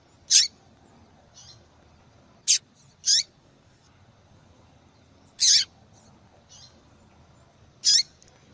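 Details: Calls of a female double-collared seedeater, used to excite males into song. Six crisp high chirps, some slightly longer and sliding down, are spaced unevenly, with a few soft faint notes between them.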